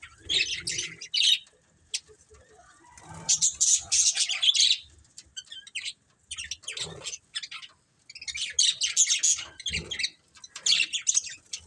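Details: Budgies in a family group chatter in bouts of rapid, scratchy high chirps lasting one to two seconds each, with short silent gaps between them and faint low thumps beneath.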